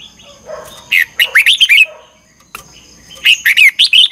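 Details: Morning training song of a red-whiskered bulbul used as a lure voice; two phrases of rapid, sweet, warbled notes with a pause between, over a faint constant high tone and low background murmur.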